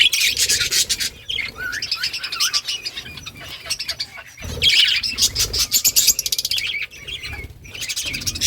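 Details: Budgerigars in a colony during summer breeding season, playing and chirping: dense overlapping chatter of buzzy, warbled notes and short squeaks from many birds, with brief pauses and a few louder bursts.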